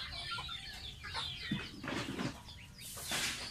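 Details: Baby domestic goose, a pet, taking a bath; scattered high peeps mix with splashy rustling and broadband noise bursts, ending in a loud hiss-like wash of sound.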